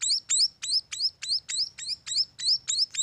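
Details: {'caption': 'Short burst of munia chick calls at a bird farm, each a sharp thin chirp sweeping upward, repeated briskly about three times a second.'}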